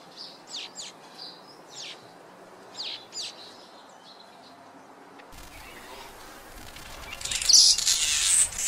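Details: Red-headed weaver, while knotting material into its nest, gives high, thin chirps in short bursts of two or three sharp notes over a few seconds, then loud scratchy rustling.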